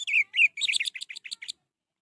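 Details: Orange-headed thrush song played to stimulate a caged bird that is not singing; a short burst of sweet slurred whistles followed by quick high chirping notes, about one and a half seconds long.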